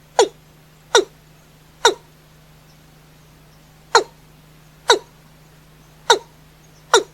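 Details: A watercock at night gives three quick, sharp downward notes, pauses for about two seconds, then gives four more, each note clipped and resonant, with a faint steady hum underneath.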